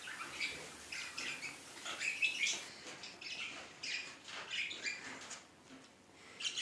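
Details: Budgerigar in Luhansk chattering steadily; high, scratchy chirps and twittering notes run continuously, with short bright whistled notes mixed in, fairly quiet and slightly muffled.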